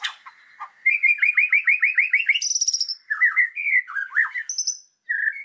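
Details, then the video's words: Master song of a fired-up White-rumped shama for training birds: a quick string of rising whistled notes, a high buzzy burst, then varied warbled slurs and whistles. "MASTERAN MURAI BATU GACOR !!! FULL ISIAN LANGSUNG EMOSI !"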